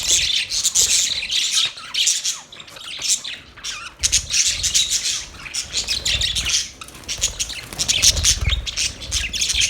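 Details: Budgerigar chirping: a busy, almost constant chatter of grating chirps and warbles in repeated surges, with faint low rumbles underneath.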